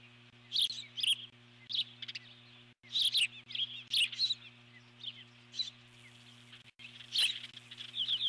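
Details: Eagle alert-calling from the nest as an intruding bird, possibly an osprey, is chased off: bursts of high, twittering chatter with short piping notes in irregular groups, with a faint low hum.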